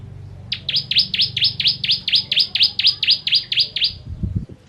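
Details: Steady rattling series of high, sharply falling notes from a bar-winged prinia (ciblek kristal), about three each second, ending with a few low knocks; recorded for training songbirds.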